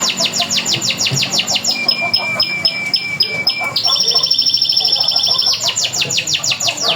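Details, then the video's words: Local canary singing a lively prompt song meant to get other canaries singing: rapid runs of repeated sweeping whistled notes, then long steady buzzy trills on two pitches, then fast sweeping notes again. "pancingan kenari lokal gacor"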